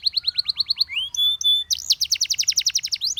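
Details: Singing canary urging other canaries to chirp. It gives a rapid string of descending chirps, then a rising slur and two long flat whistles, then a dense, rolling trill of swooping notes.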